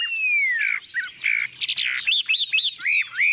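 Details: Tame caged Chinese Hwamei, newly arrived, with yellow legs and bill, filmed as heavy rain started: a long, clear falling whistle, then bursts of chattering notes and a string of repeated upturned, looping whistles.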